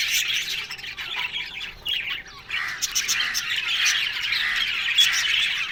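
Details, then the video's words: Yellow budgerigars, described as happy and talking, giving a dense, scratchy warbling chatter with squawky notes that dips briefly near two seconds before swelling again into continuous twittering. "Yellow Budgies Talking Sounds Happy"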